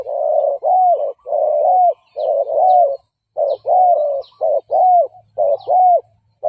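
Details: Decoy spotted dove gù calls to entice and provoke wild males to fight; loud, continuous mellow coos, some long and some clipped, about sixty per minute, with faint distant chirps.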